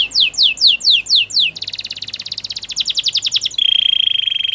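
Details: Belgian canary singing for training canaries: a run of falling whistled slurs, then a fast dry trill, ending in a steady high rolling tour.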